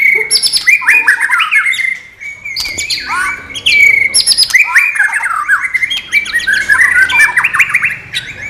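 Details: White-rumped shama singing non-bubbling material: rich varied phrases of rapid whistles, buzzy trills and sharp upward sweeps, delivered almost without pause, with brief gaps between bursts.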